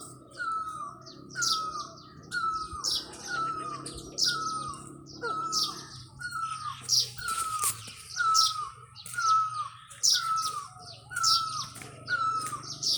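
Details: Cuckoo, described as a black bird, calling in the mountains of Kashmir: a clear, falling note repeated about once a second, with high chirps from other birds and a low background hum.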